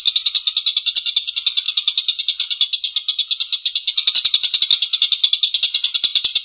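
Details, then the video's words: A collared kingfisher delivers a long, coarse laughing series. Scratchy notes tumble out fast and steadily, slightly louder toward the end. "Suara tengkek buto||masteran burung gacor ngekek panjang suara kasar"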